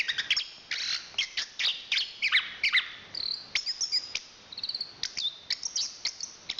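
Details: Chestnut-capped thrush, national champion songster of Southeast Asian forests, giving rapid clicking and chipping notes with brief high whistles and short trills in an irregular stream.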